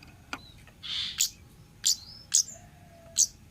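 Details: Wild orange-headed thrush from the forest, kept as a lure sound: sharp, very high chirped notes roughly once per second, several trailing into thin gliding whistles, with a soft hiss and a few faint clicks between them.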